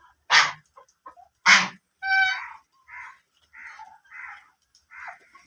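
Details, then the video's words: Two loud, harsh quacks from black ducks, then a run of softer, nasal, chattering calls repeated roughly every half second. "black ducks original sounds"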